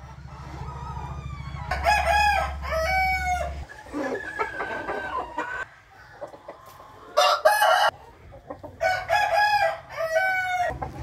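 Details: Rooster crowing in the morning, recorded 8 April 2021: several loud, harmonic crows in bursts, each with a rising start and a long drawn-out ending, separated by quieter clucking and background murmur.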